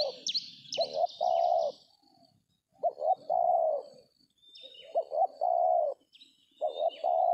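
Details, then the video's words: Cooing Spotted Dove (tekukur) at a decoy trapping session in an oil palm plantation; four evenly repeated phrases, each a pair of short hoots then a prolonged coo, with sharp high chirps from another bird at the start. "DAPET TARGET TEKUKUR TERBAIK, SUARA KOMPLIT"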